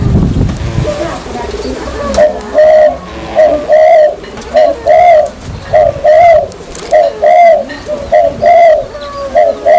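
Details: Dove giving a lure call: a low rumbling burst at the start, then a steady series of short, hollow coos repeated about once a second, each with a slight rising lilt.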